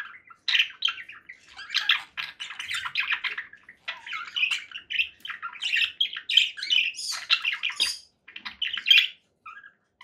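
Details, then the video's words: Conure parakeets chatter in steady runs of scratchy chirps and squawks, the phrases running together with small gaps throughout. "conure parakeet sounds"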